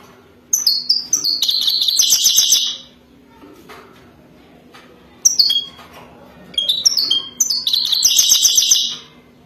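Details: European goldfinch, wadani type, in mating song: two long runs of rapid liquid twittering mixed with buzzy trilled phrases, each lasting about two seconds, opened by rising tinkling notes, with low hum behind.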